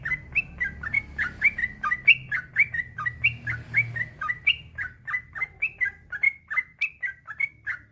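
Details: Yellow-vented bulbul male delivering a long nonstop song used to coax other bulbuls into singing: crisp short chirps, alternately rising and dropping, repeated in a lively even stream.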